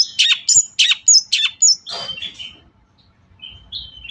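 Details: Song of a long-tailed shrike, played as a lure for sluggish shrikes: about six loud, harsh chirped notes in quick succession, one rough burst, then soft thin whistles trailing into quiet.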